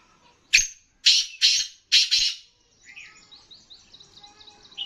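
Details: Black francolin (kala teetar) of the Sindhi type, a rare bird kept for sale: a loud series of four grating, scratchy notes within two seconds, followed by faint chirping of other small birds.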